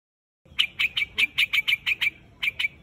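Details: White-headed quạch mốc bird calling its flock: a run of sharp, bright chirps, about eleven notes spaced roughly a fifth of a second apart, pausing briefly before two final notes.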